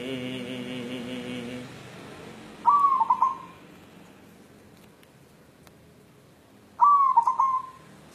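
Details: Courting white zebra dove, local natural type, looking for a mate, repeating its cooing call twice about four seconds apart, each a smooth held note broken into rapid stuttered pulses, with faint harmonic background sound early on.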